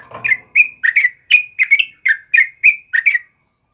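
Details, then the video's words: Morning song of a sooty-headed bulbul in full voice, a lively run of clipped, slurred chirps, several paired into quick two-note phrases, repeated about three times a second with short gaps, then silence at the end. "suara burung trucukan GACOR PAGI HARI"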